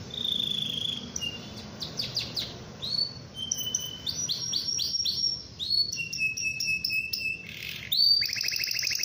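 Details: Atlantic canary in full energetic song meant to provoke rival canaries into singing: fast high trills, rolling buzzy runs and sustained whistled notes changing every second or so, over steady background hiss.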